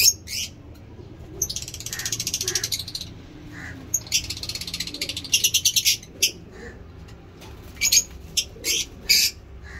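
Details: Caged lovebirds chatter busily: long rattling runs of rapid scratchy notes, then sharp separate chirps spaced about half a second apart, over low hum.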